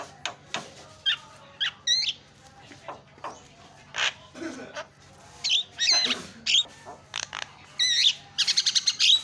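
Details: Lively Javan myna 'gacor' singing, fast-paced and said to set other mynas chattering: varied looping whistles, clicks and harsh rasps in irregular bursts, ending in a quick run of whistled notes.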